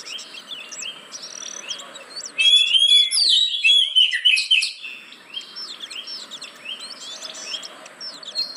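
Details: Oriental magpie-robin lure song for caged birds that are slow to sing: soft high chirping at first, then a loud run of rising and falling whistles midway, fading back to quiet twittering.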